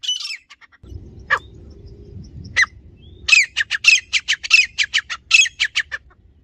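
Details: Grey francolin (teetar), village-style recording: a few sharp high notes, then a quiet stretch with low rumbling noise, then a fast run of loud, piercing, clipped notes repeated several times a second.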